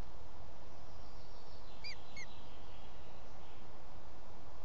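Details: A booted eagle chick piping from inside its egg as hatching begins, at a nest in Els Ports Natural Park, Catalonia, at 19:52 on 28 May 2017, gives two thin, high, arched peeps about a third of a second apart over a low rumble.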